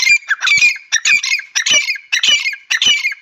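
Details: Partridge (teetar) repeating loud, grating, scratchy calls in quick succession, about three per second, each a harsh burst with faint clicks between.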